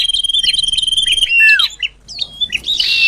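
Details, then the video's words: Common iora lure call for attracting birds: a steady thin whistle with pulsing chirps, a clear descending slur, then scattered short notes and a final harsh burst. "Suara Pikat Sirtu Cipoh || Di jamin Mendekat"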